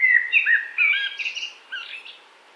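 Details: Blackbird song phrase: mellow, slurred flute-like whistles sliding up and down, then a softer, higher chattering tail that fades away, with no other sounds.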